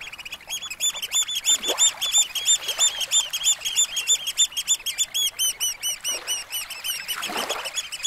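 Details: Several Eurasian oystercatchers pipe loud, shrill, clipped kleep notes in a rapid overlapping stream, about three a second, over gently lapping small waves on a sandy shore at Snettisham Beach, Norfolk, late on a spring evening.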